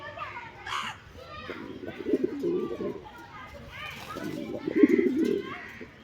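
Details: Pigeons at a coop giving low, burbling, rolling coos in two long bouts, partly masked by children's talk and play close by.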